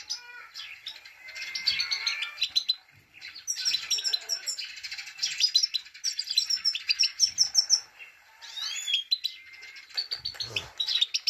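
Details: Female Himalayan goldfinch 'pit pit tak' call, given to excite males: long run of high, liquid twitters, short trills and quick upward chirps with brief pauses between bursts.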